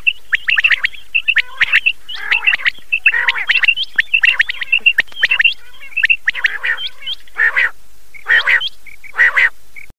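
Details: Battair, the common quail, in a loud calling sequence for hunting on Chand Raat. Rapid bursts of sharp whistles alternate with rough, grating notes, then a few spaced harsh calls close the sequence.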